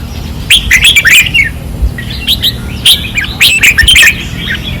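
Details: At a training perch in Pattani, 2024, caged red-whiskered bulbuls sing fiercely: two clear bursts of quick, bright, bubbling whistles separated by a short lull, over faint low background noise.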